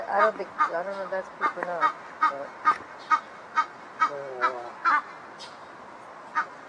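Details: A pair of Egyptian geese in a backyard, possibly talking to each other after being reunited, give harsh, nasal honks and huffing calls, overlapping in quick bursts about twice a second, as if the two birds answer each other.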